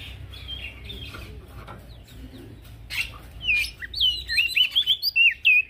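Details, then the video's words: Male prinia in full song as a training recording for crested white-eyes: faint scratchy notes over low hum at first, then loud, quick, curling whistled phrases building toward the end. "Prenjak daun Jantan gacor"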